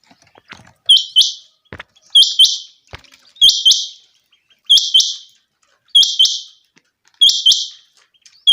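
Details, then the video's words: Common quail calling from a summer meadow: a steady series of sharp, high, rhythmic phrases, each two or three fast clicking notes, repeated every 1.3 seconds with quiet gaps and faint ticks between. "Common Quail. bird sounds from summer meadow"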